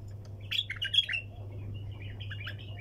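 A bulbul gives a quick burst of bright, chattering chirps, then softer scattered notes, over a steady low electrical hum.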